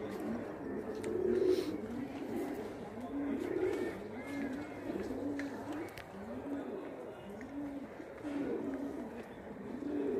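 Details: Indian kagzi pigeons frolicking, a steady run of low, pulsing coos repeated in quick arching notes throughout, with murmuring voices faint in the background.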